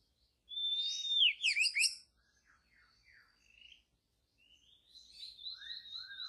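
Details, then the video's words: Wild white-rumped shama in forest: a long clear whistle sliding down into rapid chirps, quieter notes, then sustained high whistles and two lower slurred notes. "murai asli hutan belantara memang beda.!!"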